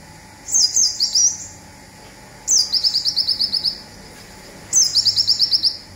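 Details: "Zipper" song of a local olive-backed sunbird, used to train songbirds. Three high phrases about two seconds apart, each a sharp falling whistle leading into a quick run of seven to nine piercing chips.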